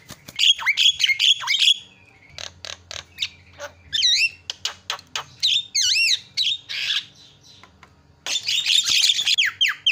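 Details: Javan myna call lure meant to make other birds call: fast squawky chatter, scattered clicks, looping whistled notes rising and falling, and a closing burst of dense harsh squawking.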